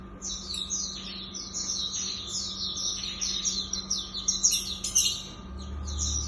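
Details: Hume's white-eye (pleci auriventer) in 'tembakan' song: an unbroken run of high, sweet chirps and fast trills that grows busier and louder toward the end, with a faint low hum underneath.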